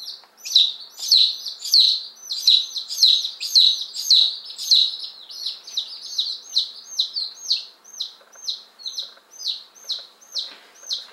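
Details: Chorus of one-day-old chicks, ten Appenzeller Spitzhauben and five White Crested Blue Polish, newly arrived May 19 2015: rapid high peeps at first, then a slower, evenly spaced run of sharp falling cheeps about twice per second.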